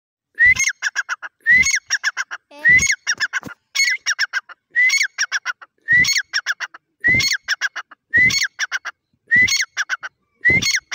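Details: Grey francolin, an Irani dakhni teetar, calling loudly; each phrase opens with a rising whistled note followed by a quick run of sharp clipped notes, the phrase repeated about once a second in a steady series of ten.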